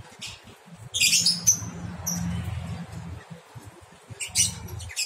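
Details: Month-old lovebird chick, newly daring to leave its nest box, gives two short harsh high squawks, one at the second mark and another near the end, over a steady low hum.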